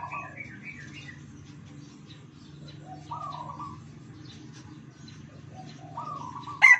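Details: Several caged Red Junglefowl from Sumatra, tame birds raised from chicks, crowing in alternation: short, hoarse, mid-pitched crows repeated every few seconds from different birds, over a constant low droning hum.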